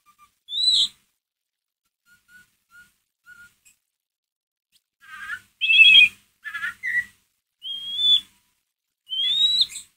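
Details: White-rumped shama ngeriwik calling, used as a lure to stir up a pet shama's emotion: a high rising whistle, a few soft faint notes, then a cluster of buzzy chattering bursts and upswept whistles after a silent gap.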